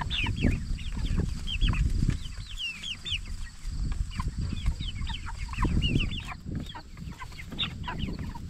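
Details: Meat-raised jumbo Cornish Cross broiler chickens at 44 days old; many birds peep in bright, quickly repeated chirps while a steady low rumble and shuffling sounds run beneath.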